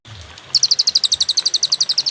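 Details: Cililin song from a master recording meant to teach songbirds, clear with pauses: after half a second of quiet, rapid high thin notes repeat about eight times a second in a steady chattering trill.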